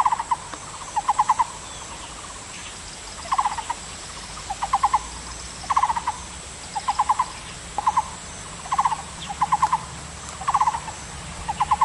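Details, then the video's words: A Taiwan Barbet sings short, hollow clusters of three to five quick notes, repeated about once a second over a soft, steady background hiss. "El Barbudo de Taiwan"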